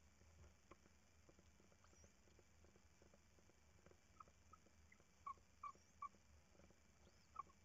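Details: Tawny owl chicks at a nest during the third feeding, 14 March 2019 around 01:43 at night: a few short, thin squeaks in the last seconds over steady electrical hum and hiss.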